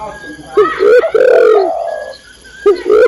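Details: Female spotted dove calling the male; a brief, harsh two-part coo, a short rising note then a drawn-out falling one, and another coo begins at the end.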